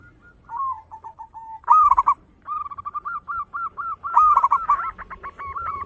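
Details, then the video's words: Zebra dove, a loud local bird used as a lure: soft notes open the song, then loud rolling coos at about 1.7 and 4.2 seconds, each followed by a string of rapid repeated coos. "Perkutut lokal gacor suara besar bikin gempar bunyi seteras cocok buat pancingan"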